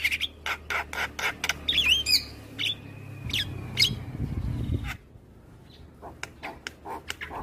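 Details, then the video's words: Morning song of a black-winged starling used to train other birds: rapid harsh chatter and sharp clicks with looping whistled notes, then a quieter stretch of scattered short calls, with a low hum underneath. "Jalak kebo MAta Putih Super Gacor - Masteran dan Pancingan Burung Jalak Pagi Hari"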